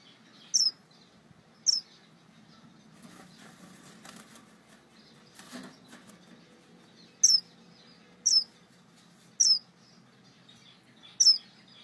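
A star finch gives six thin, very high, down-slurred calls, each brief and spaced one to four seconds apart, over a faint low rumble and some soft rustling.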